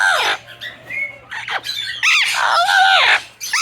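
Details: Captive Patagonian conure in a birdhouse, infatuated with and harassing a yellow-naped Amazon, gives loud, harsh squawks in quick bursts with rasping screeches over a low indoor hum; a woman speaks briefly between calls.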